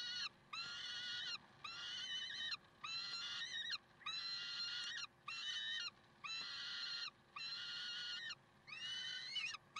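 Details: Recorded 30 May 2010 in Karlsruhe, peregrine falcons give a long run of harsh, strained wailing notes, nearly a second each, repeated about fifty times a minute with short gaps between them.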